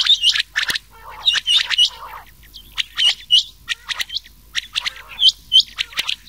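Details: Mixed rain quail and quail voices for summer night-time hunting: quick series of high, sharp chirps and hooked whistled notes from overlapping birds, coming in rapid bursts separated by brief pauses.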